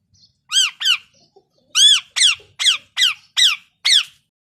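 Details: Harsh, grating parrot calls repeated in a steady series: an opening pair, a short pause, then five more loud squawks spaced about half a second apart, with a quiet background.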